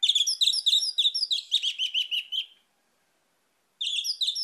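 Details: Lure song of an orange-headed thrush, played to prompt other birds to sing: a fast, continuous run of sweet warbled and whistled notes for over two seconds, a pause, then the chattering phrase resumes.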